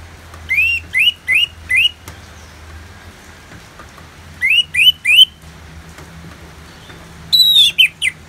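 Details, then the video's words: Orange-headed thrush singing ngeplong as therapy with rain sounds: two groups of four evenly spaced, upward-slurred whistles, then a higher descending flourish, all over a low steady background rumble. "Terapi ANIS MERAH Ngeplong dan Suara Hujan ALAMI"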